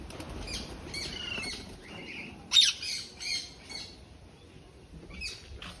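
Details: Macaw kept as a pet at home, fond of visiting outside: scattered hoarse, scratchy squawks, one sharp loud burst midway followed by softer rasping calls, then quiet.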